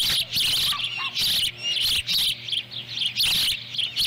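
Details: At a nest in Lolo, Montana, July 18, 2017, ospreys call while a female's small fish is eaten by a chick. Loud, high chirped squeals come nearly nonstop, with brief gaps and a low background hum.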